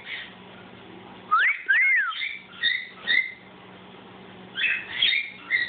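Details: A pet cockatiel sings clear, looping whistles that rise and fall, followed by shorter chirpy notes.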